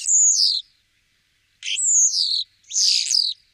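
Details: Three loud, pure descending whistles from a common starling, Wittlich, 2017. Each slides from very high to lower pitch, with short gaps between, and the last one is buzzier.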